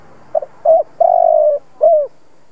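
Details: An old decoy spotted dove gives its provoking coo phrase: two clipped opening notes, a brief hollow coo, a drawn-out vibrating coo sliding gently down, and a closing coo that drops at the end.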